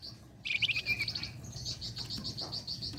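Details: Flame-breasted flowerpecker in full song, used to lure contest songbirds. A squeaky, buzzy burst is followed by an even, high, pulsing trill that repeats rapidly to the end.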